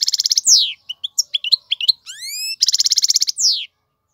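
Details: Male European goldfinch singing for fledglings: rapid rattling trill, a descending slur, varied chirps, a rising whistled note, then another rattle and slur.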